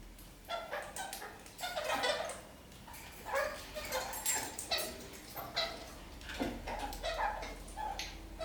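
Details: Kakariki parakeets clambering upside down across a ceiling while singing; rough, chattering bursts of broadband notes come in irregular clusters, with short quiet gaps between the phrases.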